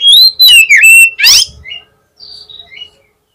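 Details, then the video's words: Oriental magpie-robin song to goad a rival into answering: loud sliding whistles, a harsh buzzy burst, then softer falling whistled notes. "PANCINGAN KACER PALING CEPAT DI RESPON KACER LAWAN PASTI CEPAT NYAUT"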